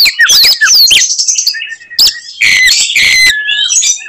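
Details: Oriental magpie-robin (kacer) singing in a fighting mood to anger other magpie-robins: quick, swooping whistles and chips, a pause, then harsh buzzy phrases with a long falling whistle.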